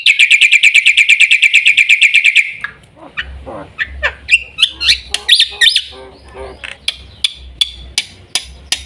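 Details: Black-winged myna giving a fast run of harsh buzzy notes, then a looser mix of squawks, whistles and sharp clicks.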